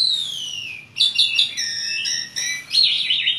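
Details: Asian pied starling song opening with a long downward-sliding whistle, followed by a cluster of quick chirps and slurred notes.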